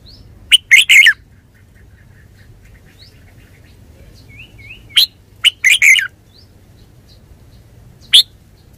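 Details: Red-whiskered bulbul delivering two bursts of lively warbled whistles several seconds apart and a final lone chirp, with faint thin high whistles from another bird between them.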